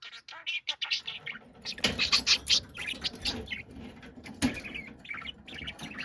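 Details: Loud pet budgerigar in an angry, noisy outburst: continuous scratchy warbling and shrill chirps over a steady indoor background hum, with several sharper squawk peaks.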